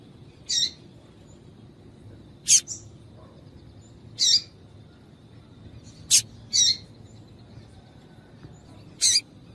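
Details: Female double-collared seedeater chirping to stimulate males to sing: brief high chirps spaced unevenly, roughly one every one to two seconds, some doubled into quick pairs, over steady low background noise.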